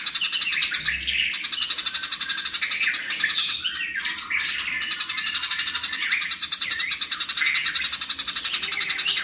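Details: Fighting house sparrows, loud and fast, recorded as a tutor track for cage songbirds: an unbroken, tightly packed stream of shrill chirps, about four per second, with short squeaky twittering notes scattered through the steady pulsing.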